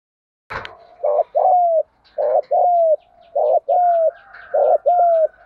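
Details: Thúc gù cooing of a spotted dove, played to stimulate decoy birds: after a sharp click, four pairs of coos, each a brief gruff note and a longer falling hoot, with faint chirps above.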